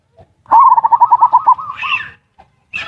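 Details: Zebra dove lure call in ngerot and kuwor styles for stimulating mating urge and lazy birds to sing: a quick rolling run of about ten bubbling coos, then a hoarse, higher trailing note.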